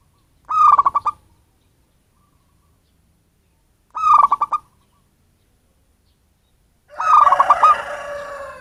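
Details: Zebra dove from the wild, not bred, used as a bird lure: two clean phrases of rapid, burbling coo notes, the third phrase overlapped by a harsh, broad rushing noise.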